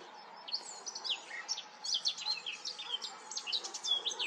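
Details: A singing Eurasian Blackcap at Goldcliff gives a fast, chattering warble of high, varied notes that runs on without a break, against a faint steady background hum.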